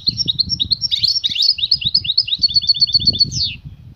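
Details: Calling female European goldfinch urging the male to mate; continuous fast high twittering with tinkling repeated notes and a closing downward slurred note, low rustling beneath.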